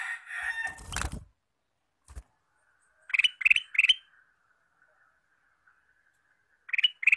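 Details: Captive male sooty-headed bulbul used as a decoy for catching wild birds: a noisy scratchy burst, then three rapid bright chirps, a pause with a faint steady tone, and two more chirps at the end.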